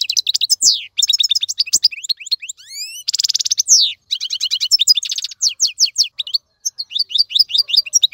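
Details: Tutoring song of a European goldfinch for training young birds: dense, liquid twitters mixed with rising whistled slurs and a harsh buzzy trill, delivered almost without pause.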